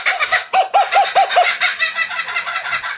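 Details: Kookaburra song, which resembles human laughter: a burst of rapid, arched, hooting notes repeated about five times in a row, then a rougher, chattering continuation that fades.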